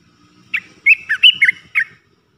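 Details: Three-phrase song of an Olive-winged Bulbul used as a decoy for wild birds: one short note, a pause, then five rapid liquid whistles that rise and fall, over a faint steady background hum.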